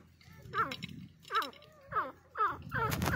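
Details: Grey francolin calling: a run of five loud, harsh, ringing notes with a sharp upward start and falling tail, spaced roughly every half to three-quarters of a second, over a low background rumble.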